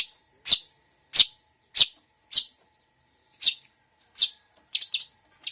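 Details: Long-tailed shrike singing a mixed fill-in song of sharp, loud chip notes repeated roughly every half second, ending in a quick cluster of higher twittering notes.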